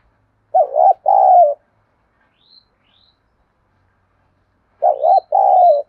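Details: Spotted dove cooing to challenge wild doves and decoys into calling and fighting: two low two-part hooting phrases about four seconds apart, with faint high chirps from another bird in between.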